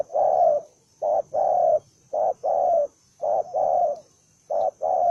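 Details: Belligerent spotted dove cooing forcefully: five phrases, each a brief note followed by a longer, level, husky hoot, repeated roughly once a second with short gaps, no other sounds.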